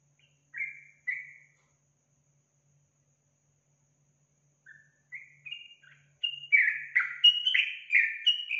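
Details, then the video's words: Yellow-vented bulbul song used as a lure to get a kept bird singing: two short slurred whistles, a pause of about three seconds, then a rising run of bubbly, warbled notes that grows louder and denser toward the end. "Pancingan Trucukan agar Trucukan cepat Bunyi dan Gacor"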